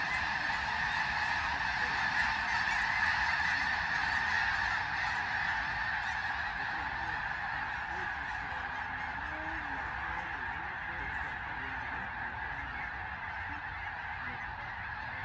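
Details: A large flock of snow geese at Sauvie Island, Oregon, keeps up a dense, continuous chorus of nasal, high-pitched honks and yelps, several calls every second.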